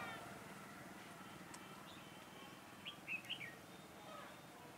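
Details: Red-whiskered bulbul, used as a decoy during bird trapping on 4 February 2018, gives one brief whistled phrase of quick rising and falling notes near the end, faint over steady background hiss and low rumble.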